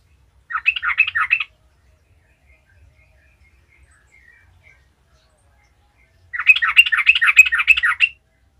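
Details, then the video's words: Sooty-headed bulbul singing in the 'gacor ngalas' style, used as a lure to make other bulbuls sing: two bursts of rapid, chattering notes, the first about one second long, the second nearly two, separated by silence. "Trucukan gacor ngalas ahlinya bikin trucukan lain kepanasan langsung jadi gacor ngalas"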